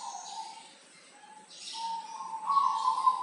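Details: Local zebra dove from Tulungagung, a vigorous singer used as a tutor bird. Soft low cooing notes that build into a louder, slightly rising phrase toward the end, with hissy background noise.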